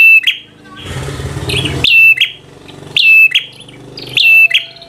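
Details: Bar-winged prinia singing in 'fighter' style to agitate rivals: loud clipped whistled notes in bursts about once a second, briefly overlapped by a rush of broad noise near the first and second seconds.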